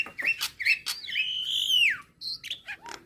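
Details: Nias hill myna song, used to provoke starlings to sing: short chirps, then a loud, long, clear whistle that holds steady and slides down at the end, followed by a few brief rising and falling whistled notes.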